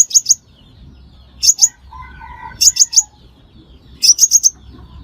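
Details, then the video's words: High, sharp chip notes from a crimson sunbird, in groups of two to four roughly every one and a half seconds, used as a lure for trapping. A faint lower tone sounds between groups. "Tiếng Hút Mật Xác Pháo Mồi Chuẩn Không Tạp Âm"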